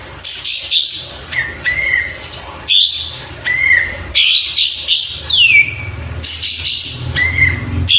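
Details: Oriental white-eye (burung kapas tembak), used as a tutor recording for other songbirds; high, bright chirps and quick twittering phrases with upslurred and downslurred whistles, phrases broken by short pauses, faint low hum beneath.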